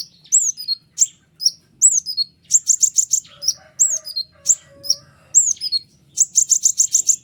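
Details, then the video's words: White-winged triller in long, sharp 'ngeriwik' song meant to make other trillers respond. Falling whistled slurs alternate with fast bursts of five or six clipped high notes. A soft, lower whistle from another bird runs underneath. "konin sayap putih unik full nembak rapat tajam suara jelas"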